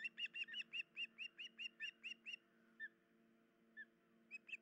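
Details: Early-morning osprey at a nest, 10 July 2019, the adult female having an injured leg: a fast string of some twelve bright whistled chirps, then sparse single notes and a final short call.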